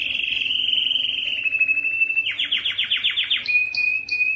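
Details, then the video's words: Canary song used to prompt males into singing: a sustained quick trill, a series of about eight rapid descending sweeps, then a thin steady whistle with short high chips. "مجموعة صوت الكناري لتحفيز الذكر على التغريد"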